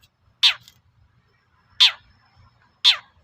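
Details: Long-tailed shrike (cendet) sound played to make other shrikes reply: three single harsh, descending rasping notes, spaced roughly one to one and a half seconds apart, with faint low rumble between.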